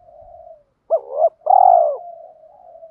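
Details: A provoking fighting coo from a decoy spotted dove (males and females): a gentle low coo, then a quick double note and a long, loud coo that fades into soft cooing.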